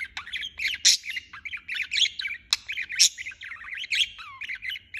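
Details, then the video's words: Budgerigar in full non-stop chatter, a dense run of warbled chirps, squeaks and clicks, ending in a short falling whistle. "Chirping non-stop"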